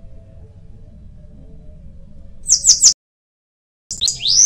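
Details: Bananaquit giving short bursts of high, thin, buzzy notes, a quick pair followed after an abrupt silence by a rising squeaky phrase; low hum underneath.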